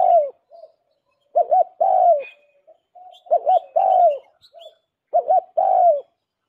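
Spotted dove cooing a soft, low phrase about every two seconds: a quick doubled coo, then a longer drawn-out falling coo, with faint chirps behind.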